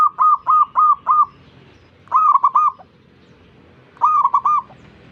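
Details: Zebra dove encouraging neighbours to call, opening with four evenly spaced trilled coos, then two shorter phrases of three or four mellow notes about two seconds apart.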